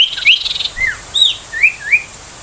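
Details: Ashy tailorbird, 'tembakan' song used as a tutor for young tailorbirds: a brief flurry of chirps, then spaced, slurred single whistles rising and falling, with steady hiss behind.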